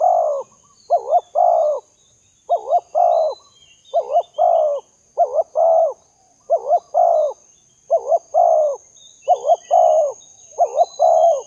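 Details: Spotted dove cooing, as used to attract doves: a steady run of about nine phrases, each two short wavering notes and a drawn-out mellow coo, repeated roughly every second with little pause. Light constant hiss.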